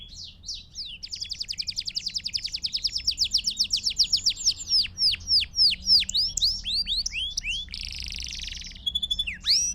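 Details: Belgian canary song for training young birds: fast trilled phrases of rapid high notes, then a run of sweeping downward slurs, a buzzy rolled section and sharp rising notes, sung continuously.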